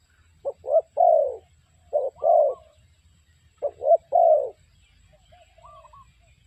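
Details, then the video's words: Three low cooing phrases from a spotted dove used to lure birds into traps, each two short coos and a longer croo, followed by a quiet pause with faint distant whistles. "The Sound Of Spotted Dove Bird"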